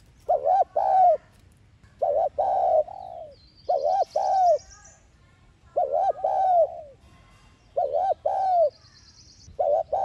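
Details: Repeated lure coos of a spotted dove in the thúc gù style for drawing caged males into calling: a double-humped note and a longer sliding coo, phrases roughly every two seconds.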